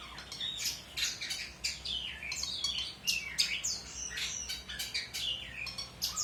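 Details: Long-tailed shrike in full, busy song meant as a model for training other birds: a fast, continuous jumble of chattering notes, slurred whistles and harsh squeaks, high-pitched with faint background hiss.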